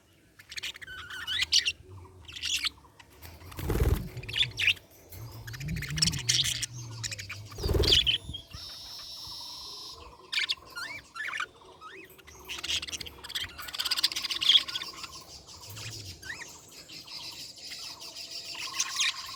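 A budgerigar chirps in quick, high, scratchy bursts with scattered clicks and soft background noise.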